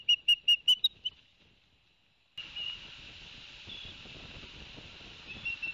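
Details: Ospreys at Barnegat Light on 11 September 2021, nest camera, the father having delivered two fish: five loud short high whistles in fast succession, a pause of silence, then steady hissing wind noise.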